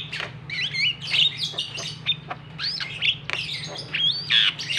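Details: Javan pied starling calls used as a lure to provoke a reluctant bird into singing: a busy stream of harsh squawks mixed with looping, whistled notes, constant and overlapping, over a steady low hum.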